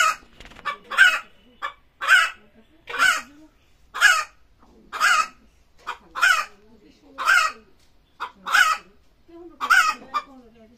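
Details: Chicken screaming before laying eggs, a steady series of harsh squawks near one per second with quick short notes between, faint low sounds behind.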